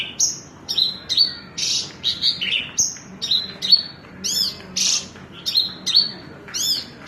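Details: Javan bush lark, called branjangan, mixing high piercing whistles, rasping bursts and arched trill-like notes in a varied, energetic sequence of separate phrases.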